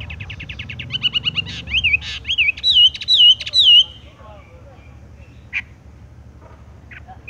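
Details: Horsfield's bush lark, 'tung roll gantung' style: a fast buzzy trill, then wavering looped whistles, then mostly quiet with a few isolated chirps and a low hum.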